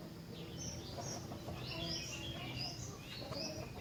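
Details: Rengganis singing strongly enough to set other rengganis singing in reply: high, thin whistled phrases sliding up and down in quick, jumbled bursts over a steady broadband hiss.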